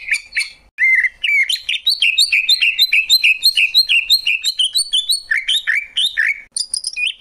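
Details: Greater green leafbird pouring out a fast, continuous run of bright chirping notes, about two per second, mostly wavering mid-high whistles with sharp high ticks above, ending in rising swoops.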